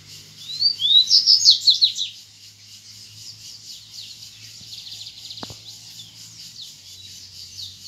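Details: A double-collared seedeater in the wild, disputing song with rivals in grego style after playback, delivers a fast burst of high, sweeping whistled notes lasting over a second. Fainter rival songs and a soft low hum follow.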